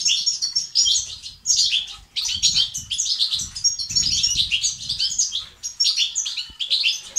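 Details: European goldfinch song of the betbeta and sestasat type, aimed at stirring silent males to sing: continuous bright twitters and buzzy trills in quick phrases, briefly broken around two seconds, with soft low-pitched rumble beneath.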